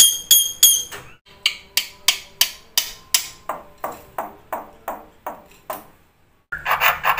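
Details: Struck, ringing pings repeat roughly three times a second with fading tails, like a wood block or chime, followed by a brief burst of noise.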